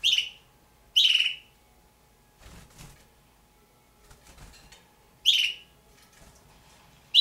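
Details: Two young pet red-billed hornbills, possibly Damaraland subspecies, repeating short buzzy, rasping calls in bursts, with soft rustling or wing-flapping noises in the pauses between calls and a faint hum.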